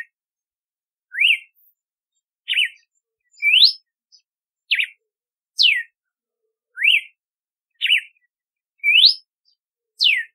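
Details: Ten seconds of red-cowled cardinal song, a repeating cycle of whistled notes: peaked rise, zigzag, upward sweep, quick dip and long downward slur, the sequence heard twice with regular spacing.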